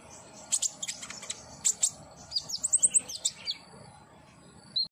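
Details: Common iora therapy track for a caged bird: bright high chirps in small groups, then a quick rising-falling series of twittered notes, ending in a single thin whistle.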